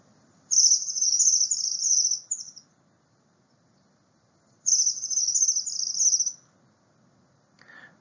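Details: Bushtit giving two bursts of thin, very high twittering, each about two seconds, separated by a short pause; a faint low rumble underneath.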